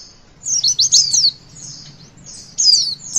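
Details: Javan white-eye giving a brief witwit song to encourage young birds to sing: a quick cluster of high, steeply falling and rising notes, a soft thin whistle, then another short high flourish.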